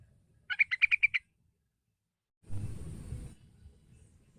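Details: Yellow-vented bulbul lure call meant to prompt young birds to sing: one rapid run of about seven bright chirping notes, followed after a gap by a second of low rumbling noise with a faint high hiss.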